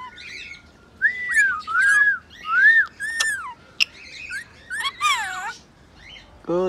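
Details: Singing rainbow lorikeet, a pet, giving loud arched whistles repeated roughly every half second, then a tumbling group of descending whistled notes and a final low harsh note.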